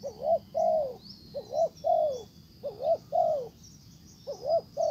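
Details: Decoy spotted dove calling to draw in a wild bird that ignores it and flies off; low, hollow coo phrases repeated steadily, each two short hooked notes followed by a longer drawn-out falling coo, with faint high chirps behind.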